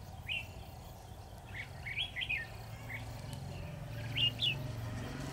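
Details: Caged decoy red-whiskered bulbul in a trap set for wild bulbuls, giving brief bright whistled notes and chirpy phrases at irregular intervals, with a quiet rumbling hum underneath.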